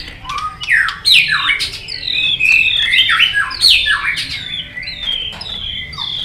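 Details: Competition singing from a white-rumped shama in long forest-style song: rapid, varied whistled phrases swooping up and down, dense loud notes packed closely for several seconds with a few sharp clicks between.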